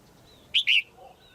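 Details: Caged female red-whiskered bulbul calling to rouse a male or to pair: one loud double whistled note, a short clipped chirp then a longer slurred one, over quiet background with faint thin whistles.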